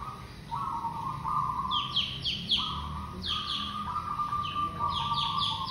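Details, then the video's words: Local zebra dove (perkutut) used as a lure: trilled, rolling coo phrases held near one pitch, repeated several times, with higher quick down-slurred chirps from another bird over steady background hiss. "Perkutut lokal GACOR super pemikat AMPUH"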